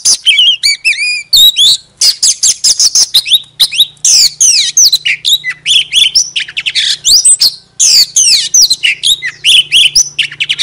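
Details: Lure Oriental magpie-robin singing with tail spread: a sustained, dense cascade of high whistles, rapid trills and sweeping slurred notes with almost no breaks.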